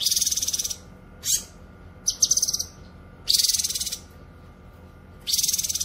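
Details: Cucak kinoy singing, a recording meant for tutoring caged songbirds and luring wild cucak kinoy: long rasping high-pitched bursts, about a second each, separated by single sharp notes and a short stuttering whistle.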